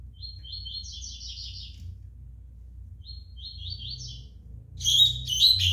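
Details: A five-month-old young Double-collared Seedeater gives two high, rapid twittering phrases of buzzy notes, each about two seconds long, then louder, sharper notes, over a low indoor hum.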